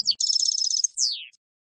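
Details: Field-style European goldfinch song used to teach novice decoy birds, a dense high buzzy trill of rapid repeated notes followed by a long slurred descending note.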